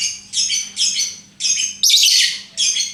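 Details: Harsh, shrill squawks from a lovebird repeated about every half second in short separate bursts, one louder and longer than the rest.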